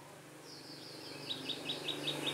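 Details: Red-whiskered bulbul kept as a decoy during trapping on 15 October 2017, singing to lure and fight wild birds: a run of short, high, bright chirped notes repeated about five times a second, rising in loudness, over faint low hum.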